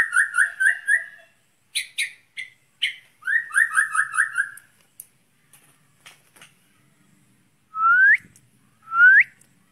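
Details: White-rumped shama, a long-tailed songbird set out in the open to train its breathing, sings clear whistled phrases. Several rapid series of short slurred notes come first, with sharp high ticks, then two separate loud rising whistles after a pause.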